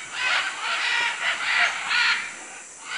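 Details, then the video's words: Macaws in Manu, Peru: a rapid run of five harsh, throaty squawks in about two seconds, then quiet, with a continuous high insect drone behind. "Guacamayos Manu Perú"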